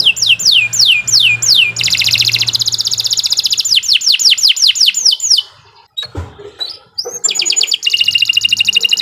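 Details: Canary in long, continuous song for training other birds: slow downward-sweeping whistles, a dense buzzing trill, more sweeping whistles, a brief pause with a soft knock, then fast rattling trills.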